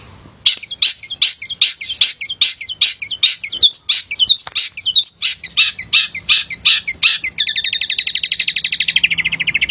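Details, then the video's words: Male long-tailed shrike singing vigorously as a lure for lazy shrikes: spaced high chirps quickening into a warbled phrase, then a rapid buzzy rattle to the end. "Pented Gacor Cocok Buat Pancingan Pented Yang Malas Bunyi"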